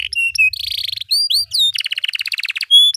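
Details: Canary singing a long, continuous song: flat whistled notes near the start, rising swept whistles, then a fast, tight rolling trill of rapid repeated notes, all high-pitched and loud with a faint low rumble beneath.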